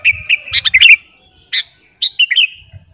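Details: Kutilang garuda, or sooty-headed bulbul, used as a luring master; sparse phrases of short warbled chirps and bubbly notes separated by gaps, a soft low murmur at start and end.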